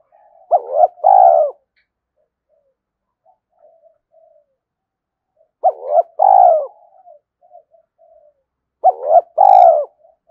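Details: Cooing spotted dove, played to stir a decoy dove into cooing: three evenly spaced two-part phrases, a sharp hooked note then a fuller burring coo, roughly every four seconds, with faint murmurs between.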